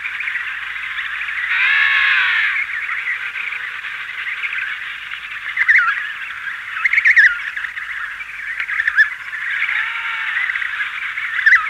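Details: Colony of emperor penguins, adults and chicks, with wing beating and a slightly hissy background: a steady mass of overlapping calls, a louder trumpeting burst near two seconds, scattered sharp notes midway and another trumpeting call toward the end.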